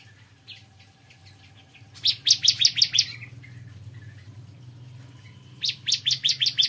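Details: Bar-winged prinia in morning song, with two short bursts of quick, sharp repeated notes separated by a quieter stretch; a noticeable low rumbling background, somewhat like running water, runs throughout.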